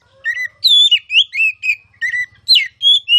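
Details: Oriental magpie-robin, a caged training bird, in a loud open-throated singing style known locally as ngeplong: clear whistled notes, some rising and some falling, strung in quick phrases with short gaps and a faint low hum beneath.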